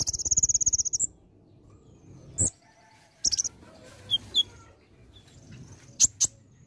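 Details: Olive-backed sunbird in vigorous varied song with mimicked fill-in phrases; a rapid high trill of about a dozen notes opens, then sparse sharp high chirps and short whistled notes separated by pauses.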